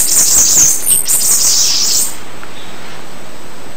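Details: Bananaquit singing: a single high, thin, buzzy twittering phrase of about two seconds, then quiet with steady background hiss.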